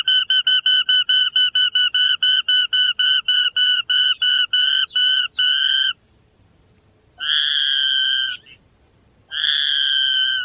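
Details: Tiny grassland rail, far more often heard than seen, gives a rapid, slightly musical descending trill of about twenty clipped notes over six seconds, then two longer, harsh, buzzy growls.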